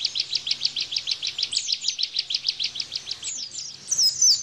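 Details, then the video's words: Bar-winged prinia giving a 'tembakan' rapid-fire song, used as a tutor recording for cage white-eyes: a fast, steady train of high, sharp chirps, about three per second, ending in a few higher swooping notes. "Tembakan Ciblek Bren"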